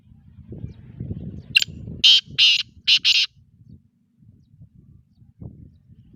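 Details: Sindhi black francolin giving its grating call: a quick click, then four rasping, buzzy notes, two longer and two short, over a low murmur of background noise that continues afterwards.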